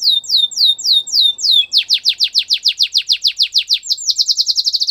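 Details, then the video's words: Canary singing as training material. Rapid looping syllables speed into a long, even tour of sharp downward whistles, repeated roughly four times a second, closing in a tight fast roll. "Canary singing in the wild | Canary training"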